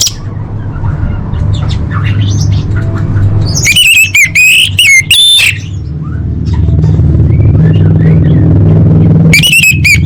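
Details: Masteran training song of the orange-headed thrush (anis merah) for cage birds. A loud, energetic burst of varied high whistles and trills runs from about 4 to 5 seconds, with another burst at the end, all over a steady low rumble like traffic.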